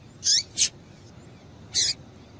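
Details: Female double-collared seedeater uttering calls meant to get a male singing; two sharp high chips close together, then a third after about a second.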